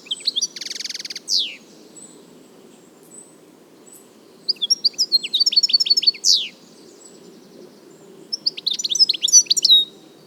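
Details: Wild European goldfinch song: a harsh buzzy burst, then a rapid run of sharp twittering notes and a rising slurred note, ending in another chattering twitter phrase, with low steady background noise.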